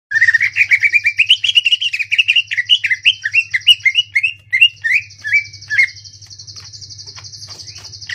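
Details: Greater green leafbird in full ngentrok-style song with rapid, rough shot-like phrases: a fast run of varied whistled, upslurred notes for about six seconds, over a constant high buzzing drone and low hum.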